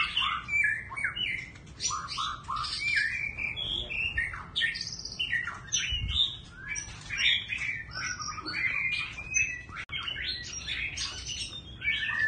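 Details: Kept white-rumped shama singing varied phrases with a constantly shifting voice: a dense stream of short whistles, slurred notes and chattery bits, jumping between high and mid pitches without a break.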